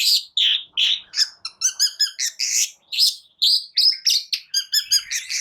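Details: Energetic long-tailed shrike singing to provoke other shrikes. Quick alternating phrases of rasping notes and ringing, harmonic whistles, delivered almost without pause.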